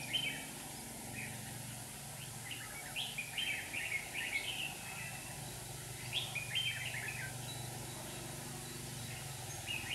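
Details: Red-whiskered bulbuls used as decoys in a trap in Hòa Bình, Vietnam: scattered bursts of chirpy, bubbling phrases with gaps between, over a low rumbling background and hiss.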